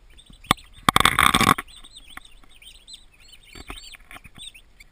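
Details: Healthy, active baby turkeys, twenty in a farm nursery: a brief clatter of rustling gives way to a steady stream of looping, whistled peeps, rising and falling, several chicks calling at once.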